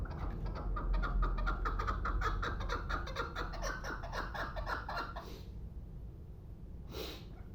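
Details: Pamir chukar partridge, a two-year-old hunting bird, calling in a regular series of clipped chuk notes about four per second for five seconds, then falling quiet apart from a couple of brief breathy noises.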